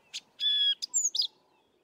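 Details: A Sabota Lark singing in the southern Karoo, a mimic here mimicking little, gives a brief, quick phrase: a scratchy note, a steady high whistle, then sharp downslurred whistles and a buzzy flourish, all within two seconds.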